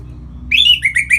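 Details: Brief fragment of Orange-headed thrush song from North Bali, used to stimulate other birds to sing: a short run of clear, slurred whistles, loud and bright, over a low hum.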